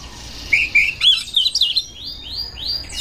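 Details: Oriental magpie-robin seeking a rival to fight, singing clear whistled notes followed by quick chatter and a run of rising, sweeping whistles.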